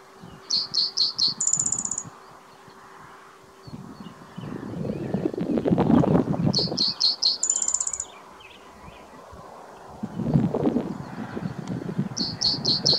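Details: Spotted towhee at Hop Trailhead in Zion National Park, 12 May 2017, gives three songs: a short run of four sharp notes, then a dry, rapid, buzzing trill. Low rumbling gusts of wind or handling noise sound between songs.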